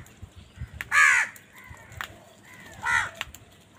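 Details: Crows calling in a village: two loud, harsh caws about two seconds apart, each a broad rasping burst with stacked harmonics, with softer, shorter calls between them and a quiet rural background.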